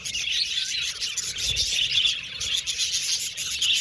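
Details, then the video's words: Budgerigars chirping together in a steady, dense chatter of high tweets and soft warbles, many birds overlapping with no pauses throughout. "Budgies Chirping Sound"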